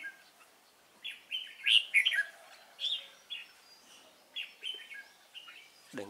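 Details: Red-whiskered bulbul, Cánh ruồi type, sung during a bird-trapping session on 3 March 2017: lively chirped and warbled phrases of several quick notes, repeated with brief pauses and fading toward the end.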